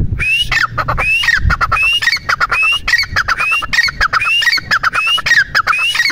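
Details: Teetar partridge calling steadily: a sharp upslurred whistle followed by a burst of harsh clucking notes, repeated about every 0.7 seconds throughout, with low rumbling background noise.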